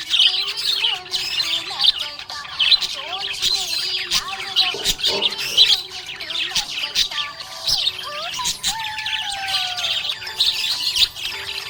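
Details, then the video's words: Happy budgie chattering nonstop in rapid, high, scratchy twitters and buzzy notes, broken by brief gliding whistles, while background music plays a sustained lower melody. "Happy budgie chirping sound"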